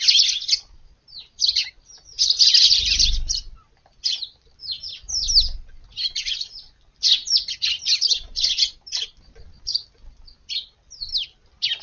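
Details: Several Eurasian tree sparrows visit a garden at dawn for morning feeding on a hot August day, after waiting on a neighbouring roof. Dense bursts of high, overlapping chirps and tweets run almost without pause, with occasional low thumps beneath.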